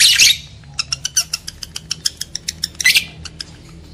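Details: Lovebirds, male and female, recorded to spark breeding: a harsh squawk opens, then a steady run of about a dozen evenly spaced sharp chirps, another shrill burst near the end.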